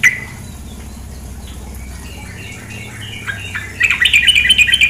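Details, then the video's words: Female sooty-headed bulbul calling over running water: scattered soft notes, then a loud burst of rapid, harsh chattering notes near the end, repeated about three times a second. "terapi suara trukcuk betina"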